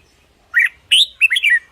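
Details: Red-whiskered bulbul song for decoying or exciting caged birds. One brief bubbly phrase: a warbled note, then a higher slurred whistle, then a quick falling triplet.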